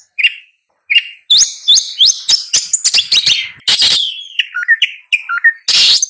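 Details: Long-tailed shrike singing a varied, jerky medley of short upslurred squeaks, harsh rasping bursts and descending whistled notes, delivered in quick clusters after a few isolated opening chirps.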